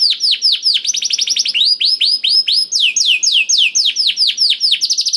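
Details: Lure song of a canary meant to get a silent bird singing: loud, unbroken series of rapid descending whistled notes, some tours quicker, others slower and more drawn out, continuing throughout.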